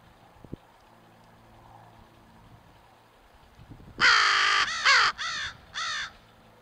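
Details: Crows recorded on 17 April 2024, giving four loud, harsh caws after about four seconds of quiet background hum, the first long and rasping, the next three shorter with falling ends, spaced roughly half a second apart.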